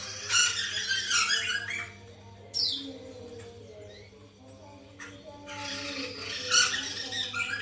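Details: White-crested laughingthrush, played to stimulate a caged bird to sing: a loud harsh cackling burst opens, quieter single notes and chatters follow, and another raucous cackle rises near the end.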